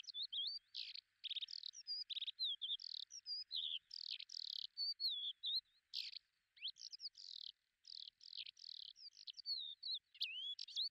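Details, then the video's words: Lesser short-toed lark, recorded at Belchite in Zaragoza province, Spain, July 2019, delivering a long, fast, varied run of high twittering and buzzy notes with rising and falling slurs, nearly continuous with brief breaks. "Terrera marismeña ( Calandrella rufescens ) Lesser Short-toed Lark"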